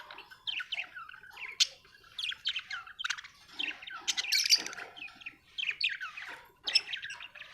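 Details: Australian budgerigar chirping steadily: repeated short, squeaky, up-and-down twitters and scratchy buzzes coming every half second or so in lively chatter.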